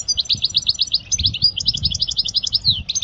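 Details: European goldfinch song for teaching young birds, an unbroken rapid chatter of short bright twittering notes and liquid trills, ending on a slurred descending note.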